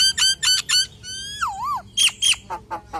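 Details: Common hill myna singing a full, varied song meant to lure other hill mynas: three harsh buzzy notes, a long rising whistle bending into a wavering slide, then sharp squawks.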